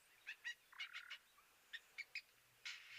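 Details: Egyptian geese at a springbok-visited waterhole on 13 January 2023 give harsh, raspy honks in short bursts, about eight in three seconds, ending in a longer grating call, irritated and chasing off springbok near their goslings.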